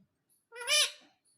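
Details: Talking pet parrot repeating "mummy": one harsh, nasal, harmonic-rich word swelling to a loud middle then fading, set in a quiet room.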